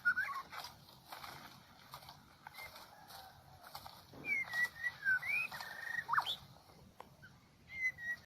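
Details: White-rumped shama of the Medan type, used as a lure for trapping: sparse clear whistled notes, some sliding up or down, grouped mostly in the second half, with faint clicks and a low background hiss.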